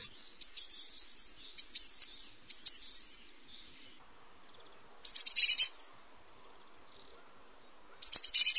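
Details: Eurasian blackcap (Sylvia atricapilla) singing short, bright, high-pitched phrases of quick chattering notes, each under a second, repeated with brief pauses.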